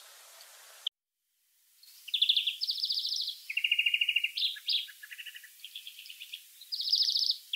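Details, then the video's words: Wild European greenfinch song: a run of fast trills and twittering phrases shifting up and down in pitch, one trill flowing into the next with almost no pause, after a short dropout near the start. "chant et cri du verdier / song & call of greenfinch"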